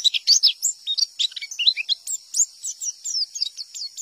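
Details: A wild-caught white-eye's rapid, high, thin twittering, used as a lure that other white-eyes answer: a nonstop run of sharp chirps and short slurred whistles, several each second, with no other sounds.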